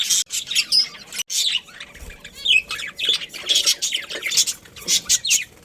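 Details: Scratchy chattering from a budgerigar breeding pair: a run of sharp squawky chirps and short warbled notes, loud bursts alternating with quieter moments and one brief silence.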